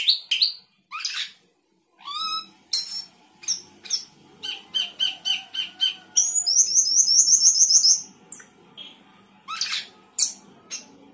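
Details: Sooty-headed bulbul singing with isian fill-ins, a lively jumble of sharp chips, downslurred whistles and a fast, even run of high piping notes, with steady quieter chirping throughout.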